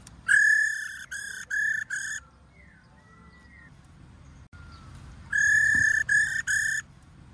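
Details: A female white-cheeked laughingthrush, used to stimulate males to sing, gives two bursts of high, buzzy, rattling notes, each broken into three or four quick pulses, with a few faint whistles between.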